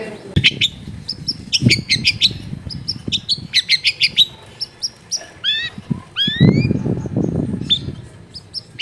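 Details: Long-tailed shrike singing a rich song stuffed with imitations, recorded at home in a densely populated area: sharp high chirps and whistles, then long rising slurred whistles, with low household rumble beneath.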